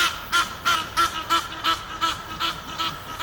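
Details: Two Egyptian geese courting in a tree near Henley upon Thames; a run of about nine harsh, nasal honks at an even pace, each short and raspy, with a constant faint hum beneath.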